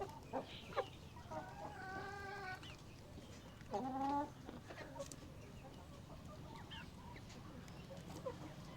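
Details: Hens and roosters in a coop, curious and watching a nearby camera; a few drawn-out nasal clucking calls rise briefly out of steady low background hum, with scattered soft clicks.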